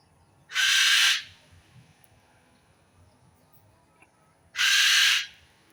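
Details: A bird gives two loud, harsh, hissing screeches about four seconds apart, each lasting over half a second, with quiet low background noise between them.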